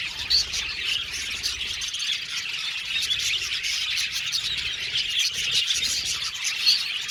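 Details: Budgerigars in an aviary colony give a dense, continuous chatter of high, scratchy chirps and twitters, with a few sharper squeaks standing out near the start and end.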